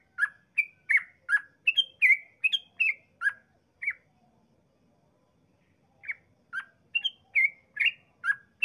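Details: Yellow-vented bulbul in persistent long song used to lure other bulbuls into calling: a rapid run of bubbly liquid chirps, about two a second, a brief pause, then the same chattering phrases again.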